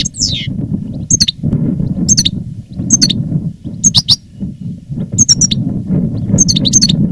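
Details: Caged veteran European goldfinch of reclamo singing type, 2017, after moulting: a descending buzzy slur then repeated bright doubled chirps and short tinkling phrases roughly each second, over constant low rumbling noise.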